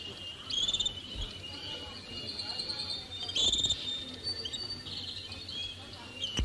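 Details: Canaries at a 1939 singing competition in The Hague sing high, sustained rolling trills and whistled phrases, bursts rising and fading over old-recording hiss; the group was judged worthy of the championship.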